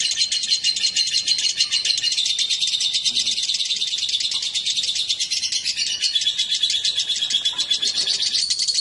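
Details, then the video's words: Lovebirds, a male and a female placed together, pour out a dense, rapid chatter of sharp high chirps with occasional thin whistled tones running through it. "Kicau burung//Jika raja dan ratu di pertemukan"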